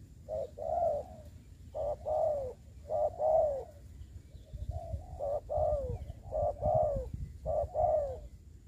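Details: Spotted dove serving as a trapping decoy on the ground, repeating paired coos, a short clipped note then a longer falling one, in regular phrases with low background rumble.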